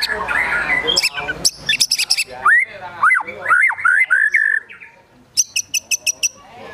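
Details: Agitated song (gacor emosi) of a white-rumped shama carrying besetan, tembakan, sogon and kunti imitations: a harsh burst, loud arched whistles and slurs, a pause, then a quick row of high ticks.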